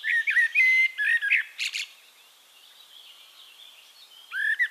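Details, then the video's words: Eurasian blackbird singing in Castricum, the Netherlands: two rich mellow whistled phrases with a sharp high squeaky ending, a pause filled by distant high twittering, then a new fluty phrase begins. "One Hour Relaxing Birdsong: Blackbird"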